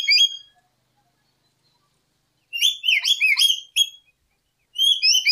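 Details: Lory used as a lure: a brief note, a long pause, then a busy tangle of high chirps and upslurred whistles, ending with a few clearer whistled notes.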